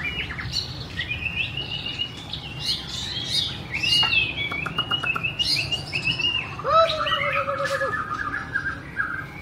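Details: Singing and dancing White-rumped shama (Copsychus malabaricus), 2017: a long, rich phrase of varied whistles, trills and rapid chatter, ending in a few lower, steady whistled notes, with a low hum underneath.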